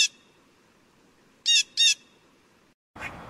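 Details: Harsh, noisy blue jay calls: one squawk at the start, then two rapid raspy notes close together, followed by a brief burst of broadband noise at the end.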